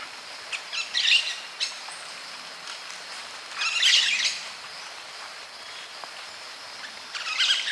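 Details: White-eared parakeet (Pyrrhura leucotis, maroon-faced parakeet) calls while eating, giving harsh, scratchy chattering bursts: three short squabbling outbursts spaced a few seconds apart over a steady background hiss.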